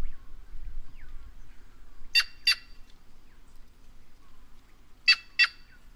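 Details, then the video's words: Two quick doubled bursts of raspy, broadband notes from a White-naped jay (Cyanocorax cyanopogon) of the Brazilian caatinga, about three seconds apart, with faint soft chirps and low rumble between. "Canto da Gralha Cancã Cyanocorax Cyanopogon"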